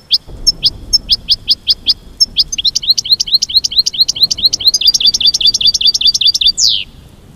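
American goldfinch song: a run of bright, high chirping notes that start spaced and speed into a rapid twitter, ending in a sharp downslurred note.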